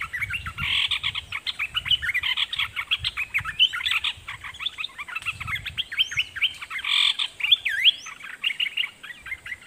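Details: Caged red-whiskered bulbul acting as a decoy toward wild birds: an unbroken chatter of rapid chirps and looping whistles, with a couple of higher upswept notes toward the end.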